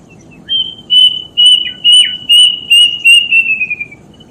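A death bird gives a run of about nine clear, high whistled notes in under four seconds, steady in pitch and then sliding slightly lower at the end.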